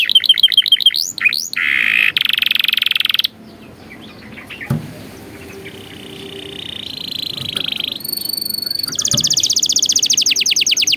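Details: Lively canary training song with mixed phrases: quick looping notes, a harsh broadband burst, a gap, then rising steady trills and a final dense rapid roll.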